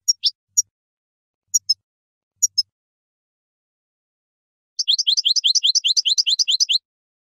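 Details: Goldfinch song recorded in the field to educate captive European goldfinches: a few isolated high chips with gaps, then after a pause a dense, rapid two-second trill of high tinkling notes.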